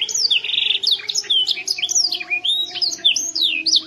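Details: Molting young canary from Yogyakarta, Indonesia, in loud song: quick rising and falling whistled slurs and chirps repeated in a lively stream, over a steady low hum.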